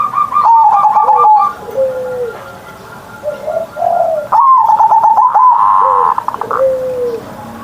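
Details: Caged zebra dove cooing each morning in a big-voiced ngerot style; rapid stuttered notes open into a sustained rolling coo, followed by softer low falling notes from another dove in the background.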